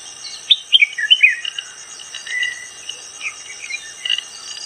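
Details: A red-whiskered bulbul in Kerala gives a quick burst of liquid, warbled notes, then a few scattered chirps, over a steady high buzz of crickets.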